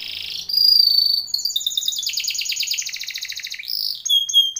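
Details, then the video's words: Timbrado canary training song: a clear sustained whistle followed by a long, fast rattling roll of repeated chirps, ending in short whistled notes. "TIMBRADO canary singing / canto Canario cantando / canary training song"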